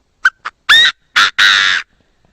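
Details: A Chinese francolin crows, recorded cleanly for a trapping speaker. Two short sharp clicks come first, then three strident, raspy notes, the third drawn out longest, with silence after.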